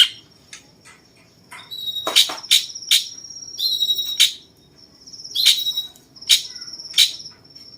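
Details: Cucak cungkok bulbul, 'rasa jenggot' style, a tutor voice for champion songbirds: crisp whistled chips with a ringing tone, in pairs and singles spaced about a second apart, over a thin steady high whine.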